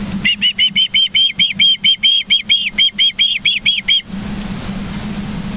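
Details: Piercing whistled cheeps from ospreys at their Charlo, Montana nest, morning of 24 August 2023 on a live cam, sixteen or so in quick succession for four seconds, then stopping abruptly and leaving only a low electrical hum.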